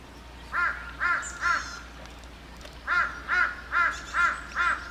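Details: A flock of hundreds of crows perched on power poles in a Korean neighbourhood; harsh caws repeated in quick runs, three then a pause then five in a row, with fainter calls from other birds behind.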